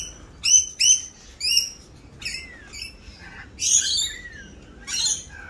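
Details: Rainbow lorikeets in mating season, raucous during their mating dance; a rapid series of piercing screeches, three quick ones first, then slurred downward squeals and longer grating shrieks.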